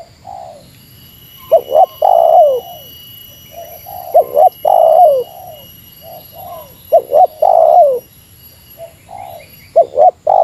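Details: Meratus-style spotted dove call used to challenge a rival. Phrases of two sharp short notes and a long sliding coo recur about every three seconds, with quieter coos filling the gaps.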